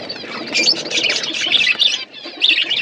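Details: Pet budgerigars feeding together give overlapping high chirps and warbling squeaks, with soft fluttering wings beneath the chatter.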